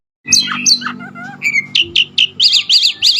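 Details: Oriental magpie-robin song with clear, separate whistled notes that dip and rise. Short bright chirps follow, then a sharp, rapidly modulated phrase repeated four times in a steady rhythm.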